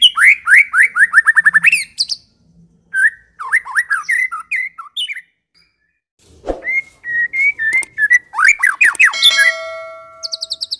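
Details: White-rumped shama, Medan type, singing to draw other shamas into song: rapid repeated downslurred whistles, scattered varied phrases, a single dull thump, then rising whistles and a few steady held tones.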